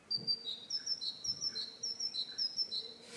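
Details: Great tit (Parus major) song of fast repeated two-note phrases, a thin high note then a lower one, cycling steadily through the clip with a faint low hum beneath.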